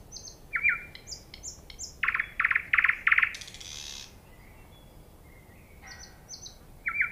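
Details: Common nightingale singing: varied short phrases of high thin whistles alternating with a run of four loud, rich notes, each repeated about every half second, then pauses and scattered high whistled notes, over faint rural background noise.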